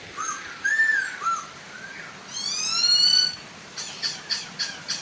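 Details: Chinese hwamei, female and male, singing with a soft waterfall behind to coax other hwamei into song: looping whistled notes, a long bright rising whistle, then a string of short sharp chips repeated about four times.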